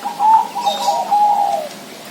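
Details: Zebra dove, kept in the Bangkok and local styles, gives a soft cooing phrase near one pitch, a steady warbling coo with slight wavering notes running about one and a half seconds before fading.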